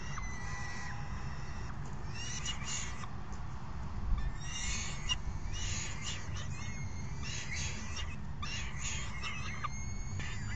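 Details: A raucous falcon brood at dinner on June 3, 2018, one parent delivering food and the other feeding the chicks: repeated ragged screeching bursts and a few thin drawn whines, with steady low wind noise throughout.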